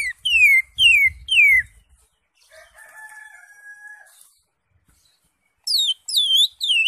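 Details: Cucak hijau, or greater green leafbird, singing full isian ngentrok song: sharp whistles sliding steeply downward, repeated three times, then a brief steady tone, then more descending whistles with faint low rumble.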